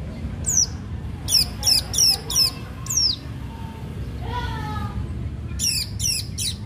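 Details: Long-tailed shrike singing sharply as a lure to make other shrikes sing: a series of high, steeply falling whistled notes in quick bursts, with a brief lower harsh note midway.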